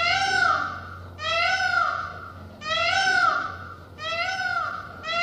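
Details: Repeated peacock cries: four long, nasal, mewing wails roughly every second and a half, each rising then sliding down, over a low steady hum.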